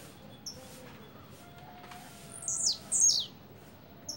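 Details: Blue-black grassquit double song: a pair of bright, high buzzy notes sliding downward, heard after a quiet opening with faint background hum.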